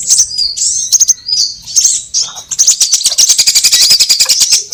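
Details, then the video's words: Sunbird calls played as a trapping lure for all kinds: a few thin high chirps and slurred squeaks, then a long, rapid, even ticking trill beneath shrill twitters. "Suara pikat semua jenis burung kolibri"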